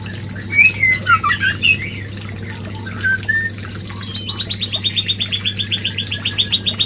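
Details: White-rumped shama, played as a lure to trigger mating: scattered sharp chirps and slurred notes, then a long fast series of rapid, evenly repeated high notes from about the four-second mark, over a steady low hum.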